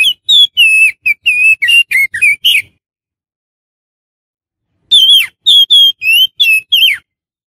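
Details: Lure recording of an oriental magpie-robin, meant to attract wild birds: two fast runs of bright, slurred whistles about a second apart in rhythm, with a long pause between the runs and no other sounds.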